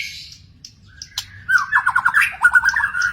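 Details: A wild magpie-robin gives a few soft high chips, a sharp click, then a rapid run of loud, rolling whistled notes, repeated in quick bursts of pulsing warbles.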